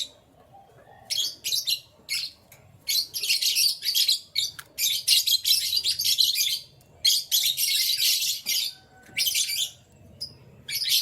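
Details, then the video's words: Canaries in full morning song: long, loud, continuous high warbling and rolling trills, broken by only a few short gaps. "Canary Chirping Sounds"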